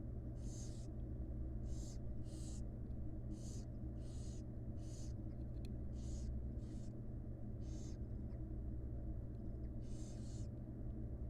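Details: Begging wild barn owl chicks in a camera nest box as the mother feeds them; about eleven rasping, snore-like hisses, irregularly spaced, some in quick pairs, over a constant low electrical hum.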